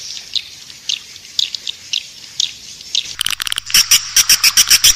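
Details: Swiftlet lure track, 'Raja Liur Emas' style, for attracting edible-nest swiftlets to a nesting house: soft scattered high chirps, then sharp clicking pulses that settle into a steady beat, each topped by a thin whistle.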